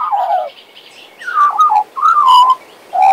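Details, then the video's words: A male Western Australian magpie kept as a pet sings a run of wavering, downslurred whistles and warbled phrases, four short bursts with brief gaps, clear and loud against quiet background. "My Western Australian Magpie Warbling, Whistling and Singing!"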